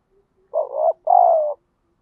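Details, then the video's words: One low two-part spotted dove coo, a rough short note then a longer steady note, for stirring wild doves to fight; the background is nearly silent. "chim cu gáy thúc đấu, tiếng chim cu gáy kích bổi rất lẹ nổi, tiếng chim cu gáy luyện mồi hàng ngày"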